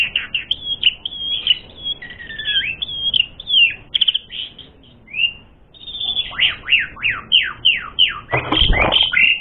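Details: Asian pied starling song for provoking fights: rich whistled phrases and a lower sliding note, a pause, then a fast series of steep downslurs ending in a harsh noisy burst.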